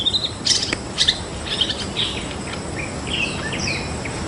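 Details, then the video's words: White-rumped shama singing in the wild: varied whistled and chirpy phrases, several short bright notes early, then sliding whistles and trills around the upper-middle range, over steady background hiss. "Mengintip Aksi Burung Murai Batu Ngotot Di Alam Liar"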